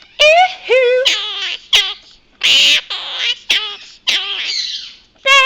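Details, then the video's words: Pet Quaker parrot indoors mimicking a phrase it picked up from television, "bad boys bad boys", in a series of bright, nasal, harmonic syllables with short gaps, some rising and some clipped, like a squeaky voice. "Quaker Parrot talking"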